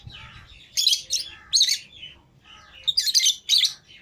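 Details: Lovebirds, kept pairs including green Fischer's and lutino birds, let out of the cage together: loud harsh broadband chirps in bursts, two pairs of bursts with quieter twittering between, sharp and high.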